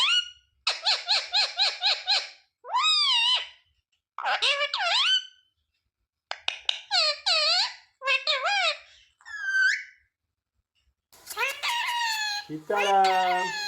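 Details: Ringneck parrot talking, repeating mummy, papa and mithu: a fast series of about seven evenly spaced syllables, followed by several curved word phrases and a final rough, broad burst.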